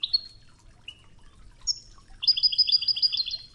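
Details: European goldfinch, Wedani-style training song with Tougza over river water: a few separate thin whistles and a drawn note, then a rapid doubled tinkling trill for over a second, light water murmur in the background.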